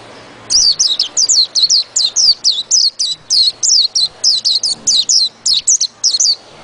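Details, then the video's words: White-eye delivering ngerol ngalas song, a continuous rolling chain of sharp, high-pitched whistles, each slurring downward, repeated rapidly and evenly for over six seconds without pause. "PLECI NGEROL NGALAS"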